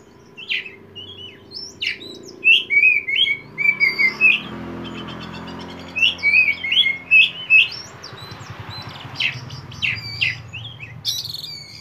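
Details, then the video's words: Oriental magpie-robin (kacer poci) singing nonstop in 'konslet' style, used to stimulate untrained birds: two dense bursts of varied whistles, chirps and slurred notes, roughly two or three per second, with a low hum and background hiss. "kacer poci gacor on konslet"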